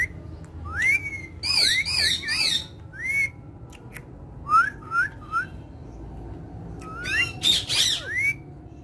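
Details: Talking parrots of a family, playing and speaking Urdu and Hindi, give short rising whistles singly and in groups of two or three, mixed with a few harsher harmonic squawks.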